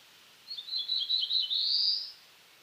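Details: Song of a black-throated blue warbler, eastern North America: a run of quick buzzy notes climbing to a sustained rising buzz, about one and a half seconds long, against a quiet background.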